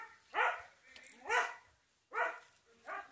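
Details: Turkey voicing four separate harmonic yelps, each rising then falling, spaced irregularly with quiet pauses between them.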